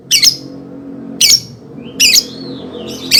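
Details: Lovebird, a recording meant as a lure for young birds: harsh, high squawking bursts repeated roughly every second, with a thin wavering whistle between two calls over a soft low background hum.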